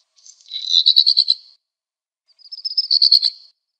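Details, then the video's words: Two scratchy, crackling song phrases from a black redstart, each about a second long, separated by a short silence. "Black redstart song and calls"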